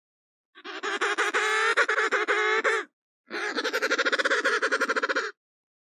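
An emperor penguin gives two long, brassy calls that throb with rapid pulses.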